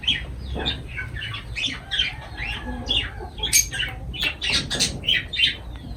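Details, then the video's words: Lovebirds over their food keep up a lively string of high squeaky chirps, some doubled, with sharper squawks toward the end and faint background hum. "Love birds voice sound"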